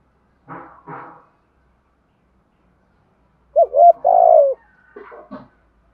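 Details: Spotted dove calling in the 'thổ' voice style, used to lure wild doves: after two faint rough murmurs and a pause, a short note, two level coos, then a long burry falling coo, with soft trailing notes.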